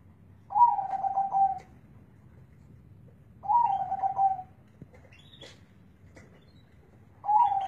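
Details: Deep-voiced zebra dove repeating a low, rapidly pulsing coo phrase roughly every three seconds, with a few faint clicks between phrases and low hum behind.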